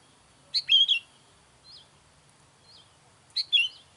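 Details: Sooty-headed bulbul calls played to lure wild bulbuls: two bright, chattering bursts of rapid slurred notes about three seconds apart, with faint single whistled notes between them, in a quiet background.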